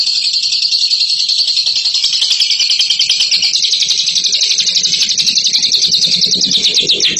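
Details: Long unbroken ngekek from a bird hailed as a champion: a high, buzzy chattering trill of rapid repeated notes that grows slightly brighter toward the end. A soft low murmur sits beneath.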